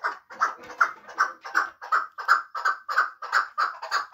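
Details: Muminobod chukar partridge, a hunting bird, repeating a clear, hoarse chuk note at an even pace, nearly three per second, each note sharp and separate.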